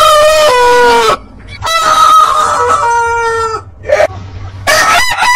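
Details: A rooster crows in drawn-out, slightly descending phrases, with a second crow following after a short gap and the start of another at the end.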